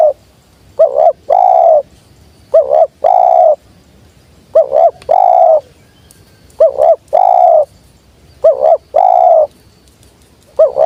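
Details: Spotted dove cooing steadily. A rippling short note and a long mellow coo are repeated about every two seconds, roughly six times, over a quiet background.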